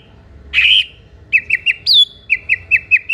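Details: White-rumped shama singing to provoke a reply from other shamas: a harsh buzzy note, then quick clipped whistled notes, one long high falling whistle, and more short whistles.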